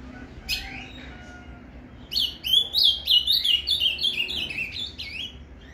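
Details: Paraná canto fibra song of the ultramarine grosbeak, meant to excite a caged azulão: a few soft early notes, then a lively three-second string of rapid, clear, up-and-down whistled syllables.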